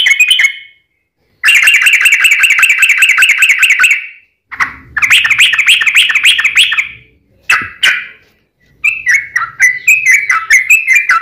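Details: Sooty-headed bulbul fighting song with long trills to provoke rival bulbuls; rapid buzzing trill runs lasting several seconds, broken by abrupt single notes, ending in a bubbly warbled phrase.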